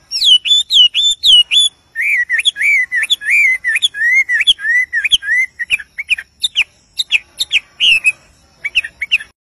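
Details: Sweet song of a wild wambie, a long fast stream of high whistled notes: bright slurred phrases give way to lower swooping whistles and clipped chirps, delivered almost without pause against a quiet background.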